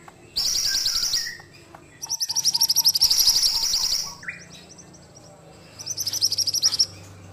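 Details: High-pitched rapid trills from an ashy tailorbird in active song. Three chattering bursts are separated by pauses, and a soft series of lower piping notes runs beneath the middle burst.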